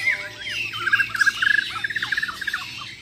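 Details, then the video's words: White-rumped shama, Bornean champion birds from Muara Wahau at a contest, singing fast varied phrases of whistled notes and rapid chattering bursts around mid pitch, loud and busy, with other caged birds nearby. "AKSI BURUNG - BURUNG JUARA MURAI BATU BORNEO "MUARA WAHAU" || FULL ISAIN BESETAN DAN TEMBAKAN"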